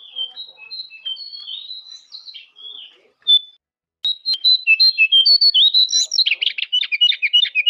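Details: Master recording of a jongkangan, meant to make caged birds answer: soft high whistles, a brief silence, then a fast, loud chain of sharp, piercing whistled chirps with buzzy twitters near the end.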